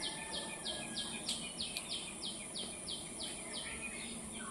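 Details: Bird chirping in Kaziranga: a run of about eleven quick, high, downward-sweeping chirps repeated steadily every half second or so, over a constant high shrill hiss and a soft rumbling background.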